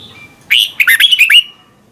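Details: Red-whiskered bulbul from Thailand singing for young birds to imitate: a single one-second phrase of six quick, clear whistled notes, sliding up and down, preceded by a faint thin whistle.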